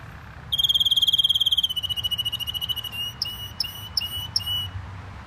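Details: Singing canary kept as a pet: a fast, even trill starting abruptly, slowing gradually into separate clipped notes, then spaced whistled chips about every half second toward the end.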